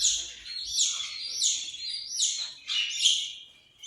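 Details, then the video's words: Australian parrot giving five loud, broad, hoarse screeches spaced about half a second apart, each rough and slightly falling in pitch, in a quiet setting. "Australian parrot"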